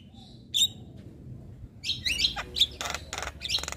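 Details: Vigorous Javan myna song for tutoring birds: an isolated sharp note, then a cluster of whistles, clicks and harsh buzzy bursts.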